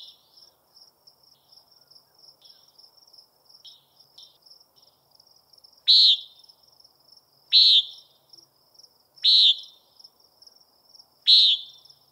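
Common Nighthawk giving loud, nasal, buzzy peent calls about every two seconds over a steady high insect trill.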